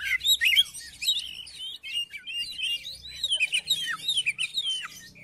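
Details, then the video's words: Oriental magpie-robin, song played to prompt another bird of its kind to sing: rich, varied whistles and twittering trills, dense and continuous, with faint low background hum. "KACER MACET MALAS BUNYI??? COBA DIPANCING DENGAN KICAUAN KACER INI"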